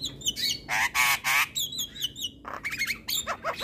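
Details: Javan myna singing in the morning with loud nasal, drawn-out squawks followed by quicker scratchy notes and short whistled phrases.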